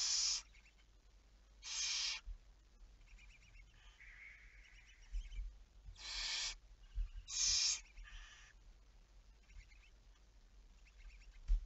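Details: Barn owl, recorded at 23:34 on 11 May 2019: a series of raspy, breathy hisses in irregular bursts, some paired closely together, with a brief thin whistled tone and faint clicking in the quiet gaps.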